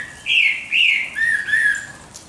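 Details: A bird at dawn sings loud, clear whistled notes: two higher sliding phrases followed by two lower, steadier ones, fading out at the end.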